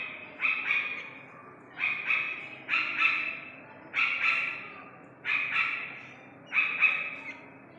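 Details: Iranian partridge chick calling: rasping, squawky paired notes, each burst followed by a pause of about a second, repeated six times in a fairly even rhythm against a faint hum.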